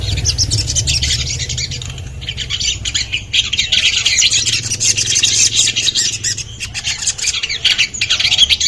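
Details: Common iora giving rapid, harsh, squawky chatter in long unbroken stretches, high-pitched and scratchy, with brief pauses and a faint low rumble at the start.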